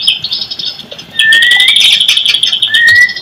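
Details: Lure recording of white-rumped shama song to make silent birds respond: a sustained high tone with fast chips overhead and two long, clear, rising whistles.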